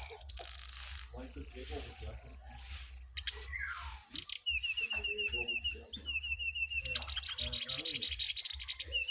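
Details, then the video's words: Jongkangan singing in a contest between a wild bird and a caged bird: high thin whistled notes, then a rapid rhythmic trill of repeated chirps with sharp rising notes, over a low steady hum. "Adu Gacor Jongkangan Liar VS Jongkangan Sangkar"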